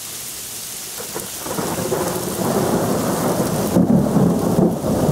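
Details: Heavy rain and rolling thunder fill the recording, with no animal voice heard.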